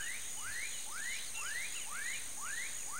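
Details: A female snail kite, apparently in the Pantanal, gives a series of rising, slightly buzzy upslurred notes about twice a second over a steady high insect drone.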